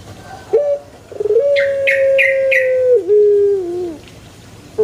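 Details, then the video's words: Male Barbary dove giving its coo: a short stammered start, then one long level drawn-out note ending in a lower dip, while another bird gives three quick sharp chirps on top. "SUARA ASLI BURUNG PUTER JANTAN"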